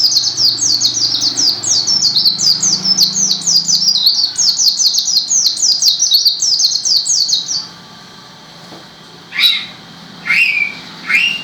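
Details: Energetic white-eye song pours out for over seven seconds as a dense chain of high, thin descending chirps. After it stops, a few separate lower squeaky calls follow with pauses between them.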